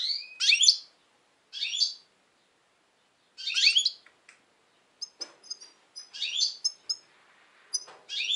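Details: European goldfinch, a kept bird described as very tense at the moment, singing in 2020: bursts of bright twittering notes in short phrases every couple of seconds, followed by scattered high tinkling chips.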